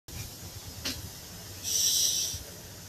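A bird gives a short breathy hiss, a broad rushing burst of about three-quarters of a second, after a brief faint puff, over low background rumble.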